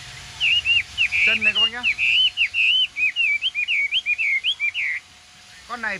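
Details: A caged Chinese hwamei, newly acquired and just bathed, singing naturally with no other hwamei present: a rapid run of varied, clear whistled notes swooping up and down, about two per second for five seconds; a man's voice briefly joins in.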